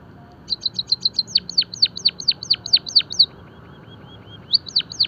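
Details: Finch or munia song for birdsong training and stimulation: rapid series of high chirps, then loud downward-sweeping notes repeated about twice a second, a pause, then a quick burst of chirps.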